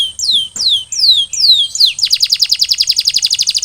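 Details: Canary song used as post-molting recovery training to get birds singing actively (gacor) again: four slow descending whistled sweeps, then a fast, even rolling trill of rapid repeated notes.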